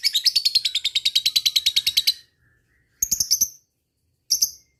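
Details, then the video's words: Lovebird 'ngekek' chatter meant to call rival birds: a fast run of high rattling chirps lasting about two seconds, a pause, then two short bursts of shrill ticking notes. "suara burung lovebird ngetik ngekek"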